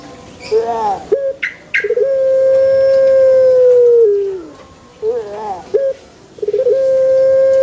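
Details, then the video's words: Puter pelung dove in a banana garden: a long steady coo falling away at its end, framed by wavering lead-in notes and followed by another stuttered start and a second drawn-out coo. "SUARA ASLI PUTER PELUNG"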